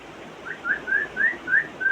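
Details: African grey parrot at home copying sounds: six short rising whistles given evenly, about four per second.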